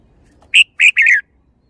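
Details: Red-whiskered bulbul, a kept songbird, giving one short loud phrase: a brief whistled note and then two fuller warbling notes, the last sliding slightly downward, in quiet surroundings.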